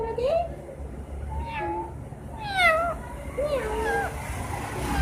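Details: Green parrot imitating a cat's miaow: several drawn-out, bending meow-like calls with strong overtones, spaced a second or two apart, plus a short level whistle and low hum.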